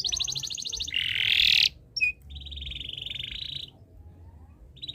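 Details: Canary in breeding condition, singing to set other birds singing: fast pulsed trill, a harsh loud buzzy rattle, a brief chip, then a long steady rolling trill.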